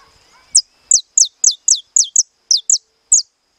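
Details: Captive-bred saffron finch singing in the estalado style: a run of about eleven sharp, high notes, each sliding steeply downward, delivered roughly three per second with brief gaps, over a faint steady high-pitched tone.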